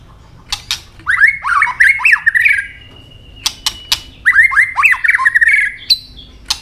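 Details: Fighting song of a white-rumped shama: two bursts of harsh, chattering, squawky notes in fast series, broken by loud sharp clicks and a thin, steady whistle between them.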